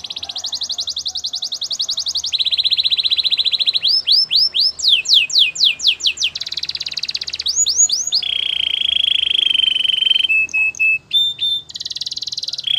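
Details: Canary singing a training song: a long varied sequence of rolling trills, bursts of sweeping whistled chirps and sustained buzzy tours that shift pitch from phrase to phrase, loud and clear over a quiet background.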